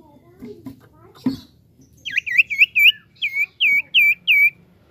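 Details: Common iora song used to lure other birds into singing: after quiet murmuring and a brief knock, a run of clear, looping whistled notes repeats roughly three times a second, each note swooping down and back up.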